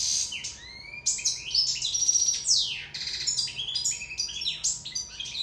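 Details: Sicilian European goldfinch singing in love: a rapid, twittering run of high tinkling notes, sweeping slurs and buzzy trills, with brief pauses between phrases; a faint steady hum underneath.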